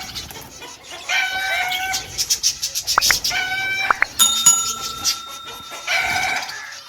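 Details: Lovebird calls from several mutations: piercing, tonal screeches and sharp clicks in quick succession, one long steady whistle-like note midway, amid ongoing background twittering.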